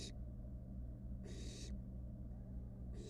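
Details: Barn owl nestling, wild, in a research nest box playing with its food; two clear breathy hissing bursts about a second and a half apart, with a low steady hum and brief quiet between.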